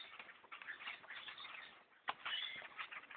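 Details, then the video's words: Blackbirds in the thousands taking over trees around a hunter's stand, dense chattering with a sharp knock partway through, then a man remarks on the birds. "attack of the black birds in a tree stand"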